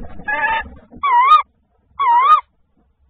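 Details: Tawny owl (Strix aluco), 28 Feb 2024, linked to prey brought by the male, giving three wavering, slightly nasal mid-pitched calls, each about half a second long and spaced about a second apart; faint low rumble at first.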